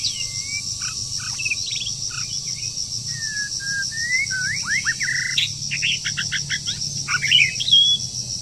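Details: A wild bird, mid-moult and singing hard in the breeding season, strings together whistles, downslurs and abrupt sharp notes, then rapid stacked chattering bursts toward the end, over a steady high hiss.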